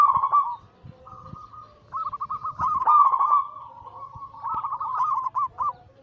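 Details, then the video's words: Zebra dove of local Bangkok cemani katuranggan silver cross, cooing anggungan: a string of rolling, quavering coo phrases at steady mid pitch, swelling and fading, with short breaks between bursts. "Masteran Pancingan harian burung perkutut Anggungan paling ampuh langsung emosi gacor"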